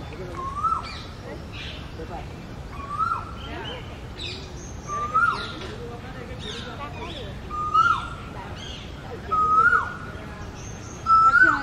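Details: Male Asian koel singing from a ficus tree in its territory in India as the summer breeding season begins; loud, clear rising whistled notes repeated about every two seconds, six in all, with other small birds chirping high in the background.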